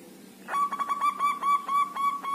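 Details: Caged local zebra dove from a group aviary, five days in and singing: a brisk, steady string of clear coo notes held at one pitch, repeated several times a second throughout, little else audible.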